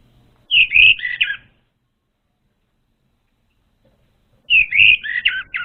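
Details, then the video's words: Orange-headed thrush song used as a lure for untrained birds: two short, rich warbled phrases of whistled and slurred notes, each about one second long, separated by a three-second pause, with faint low thumps beneath. "SUARA PANCINGAN UNTUK ANIS MERAH BAHAN"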